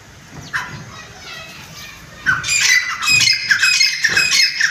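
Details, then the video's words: Grey francolin, also called chitta teetar, bred and kept at home; after quiet faint notes, harsh, strident squawking calls burst out and continue in a rapid ragged series. "chitta teetar voice"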